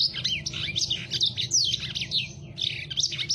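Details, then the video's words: Lemon-breasted canary in Indonesia, whose song is described as very rough and full speed and used for tutoring other birds, sings a fast, unbroken stream of high twittering notes, trills and sweeping whistles over a faint low hum. "lemon breested canary Gacor"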